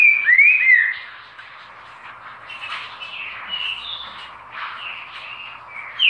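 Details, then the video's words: Green-winged saltator giving a short, loud, slurred whistled phrase at the start, followed by softer whistles mixed into continuous background birdsong, and a fresh loud note at the very end. "Trinca-Ferro Lindo Canto!!!"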